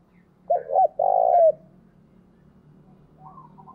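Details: Caged spotted dove decoy bird calling to stir up wild doves: two low, hollow coo phrases in quick succession, the second longer and drawn out, then a faint higher note near the end.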